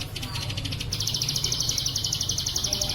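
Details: Plain prinia (ciblek sawah) in bren cililin song, a training recording for kept birds: a short buzzy burst, then a steady, evenly pulsed high trill with low rumbling noise underneath.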